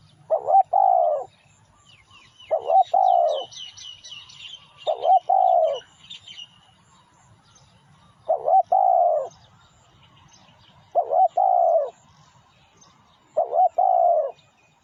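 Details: Spotted dove song for luring wild birds: six low, hollow cooing phrases repeated every two to three seconds, each a wobbling note and a longer coo, with a burst of rapid high chirps from another bird early on.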